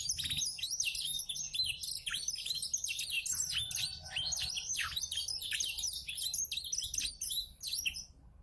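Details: Domestic canary from Klaten tutored with black-throat song: a fast, dense, unbroken stream of high chirps, trills and downward-sweeping whistles that runs the whole time, with short varied phrases packed closely together and only brief dips in loudness.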